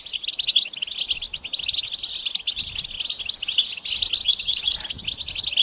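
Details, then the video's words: European goldfinches twittering together as a stimulation recording for males: unbroken, fast, high-pitched chatter of tinkling and buzzy notes, fairly even in loudness. "بتبتة الحسون تحفيز الحسون على التغريد والهيجان علاج صمت الحسون goldfinch stimulation"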